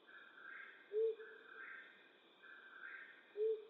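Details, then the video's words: Flammulated owl hooting at night in western North America: two low, soft single hoots about two and a half seconds apart over a steady, pulsing insect chorus. "Flammulated Owl Hooting"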